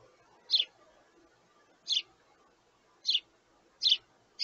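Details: Young sparrow chicks beg parents for food with high, clipped chirps, five loud notes spaced roughly a second apart over a quiet background.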